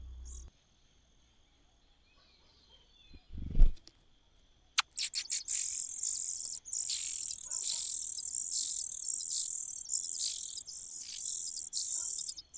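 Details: Cuckoo in the nest gives a run of high, sizzling bursts after a few seconds of near silence and a brief low thump, then keeps up regular hissy pulses.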